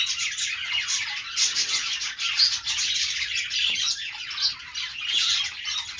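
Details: Pet budgies keep up steady high-pitched chirping and twittering, a thick overlapping warble of squeaks and buzzy notes, loudest near the middle and end.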